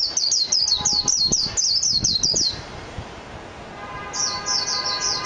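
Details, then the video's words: A Japanese white-eye (mejiro) gives a rapid run of thin, high twittering notes, pauses, then resumes the same bright warbling phrases, over faint low background noise. "تغريد طائر ابيض العين الياباني ميجيرو"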